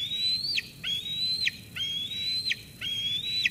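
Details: Young eagle in a Sauces Canyon nest on 13 June 2021 squees at its mother after a food delivery until she departs. Four sustained thin whistles, each slightly rising, then ending in an abrupt downward slur.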